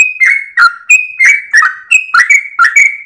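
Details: Yellow-vented bulbul (trucukan) in full, continuous rolling song at dawn, tail wagging, recorded as a tutor for cage birds: quick bright whistled notes near two kilohertz, each sliding downward and repeated about every third of a second.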